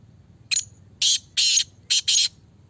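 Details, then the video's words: Black francolin, the Sindhi kala teetar of the 'speeder' type, calling: a phrase of five harsh, rasping broadband notes, the middle ones longest, delivered over about two seconds against a faint low background hum. "Speeder || kala teetar || Speeder black Francolin"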